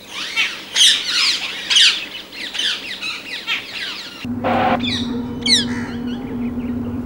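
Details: Dense chatter of harsh, sharp squawks from rose-ringed parakeets for about four seconds, then an abrupt change to a steady low hum with a few scattered screeches above it.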